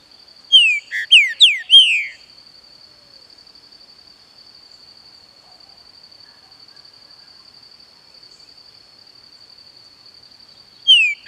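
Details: Green-winged saltator, a captive bird, singing a loud burst of clear descending whistled notes over about one and a half seconds, then a long quiet pause before the next phrase begins; a steady high electrical tone runs underneath throughout.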